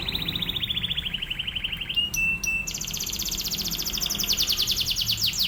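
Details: Canary pouring out a drilling master song for training other canaries: a descending rapid trill, a flat whistle broken by clicks, then a long loud fast trill of evenly spaced high pulses.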